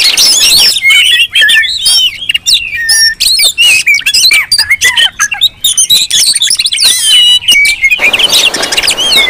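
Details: A noisy crowd of Oriental magpie-robins used as a lure to provoke rivals into singing. Rapid, overlapping whistles and harsh chattering notes come in bursts, separated by brief gaps, and grow dense again near the end.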